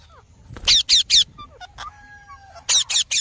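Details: Green parrot: three quick, piercing squawks, soft whistles and faint squeaks, then another trio of loud rasping screeches.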